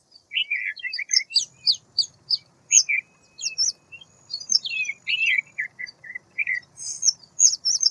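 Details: A white wagtail chattering almost nonstop: tumbling chips, slurred whistles and sweet twitters, with a faint low rumble in the background.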